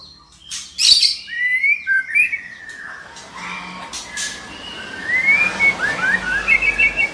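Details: Female white-rumped shama call used to stir a male into singing; a loud click, then whistled slurred phrases, ending in a quick run of bright repeated notes over a noisy background.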